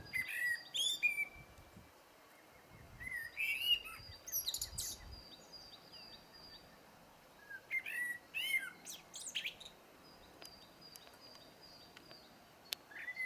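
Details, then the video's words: A common blackbird sings short fluted phrases, each ending in a high squeaky twitter, with pauses of a few seconds between them; a faint steady high hiss runs underneath. "chant du merle"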